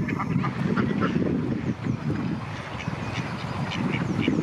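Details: Domestic ducks give a rapid, overlapping run of harsh, nasal quacks while males try to mate with a female in Friedrich Ebertpark, Ludwigshafen am Rhein.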